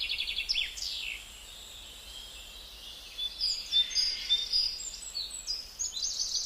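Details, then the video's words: A Gouldian finch sings a soft, very high song of thin whistles and hissy, buzzy sweeps, with quiet gaps between phrases. "Beautiful Gouldian Finch"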